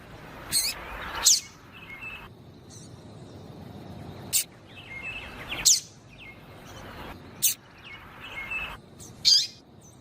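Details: Female double-collared seedeater calling to stir a male to sing: isolated sharp, high chirps every second or two, some with a faint lower tail, against a light background hiss.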